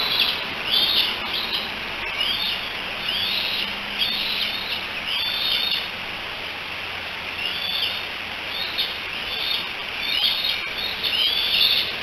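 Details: Three young bald eagles on a nest cam at Decorah, July 16, 2018, chattering together while calling for their mother: thin, high squealing whistles repeated in loose bursts over a steady hiss of background noise.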